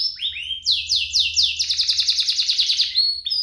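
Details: Singing canaries from a compilation meant to prompt canaries to sing. A few rising whistles give way to loud descending swoops, then a long, even, rapid trill, with a brief whistle at the close.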